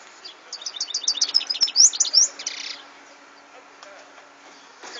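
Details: European goldfinch song, recorded in 2014: a burst of rapid high twittering notes with bright trilled phrases and quick slurred whistles, fading into quiet background hiss after about two seconds.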